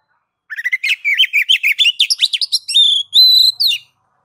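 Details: Kacer (oriental magpie-robin) ngeplong song used to stimulate other kacer. Starts as a fast rattle of short chattering notes that speed up into rising slurs, then gives way to long, level, clear whistles near the end.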